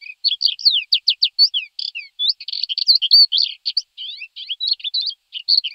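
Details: Thekla's lark in continuous, varied song: rapid downslurred whistles and buzzy, scratchy trills run together without pause, with brief mimic-like twitters, all high-pitched against a clean, quiet background.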